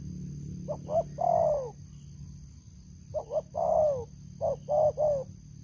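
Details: Decoy spotted dove with a big voice giving two cooing phrases: brief stuttered notes leading into a longer coo that drops in pitch at the end, then more short coos, over a low background rumble.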